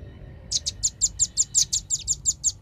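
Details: Velvet-fronted nuthatch lure recording with a clear voice, used to gather birds: twelve sharp, high chip notes in a brisk, evenly spaced rattle lasting two seconds.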